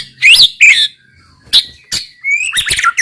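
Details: White-rumped shama (murai batu) giving loud, sharp whistled phrases with rising and falling twists, separated by short gaps, ending in a quick jumbled burst of high notes.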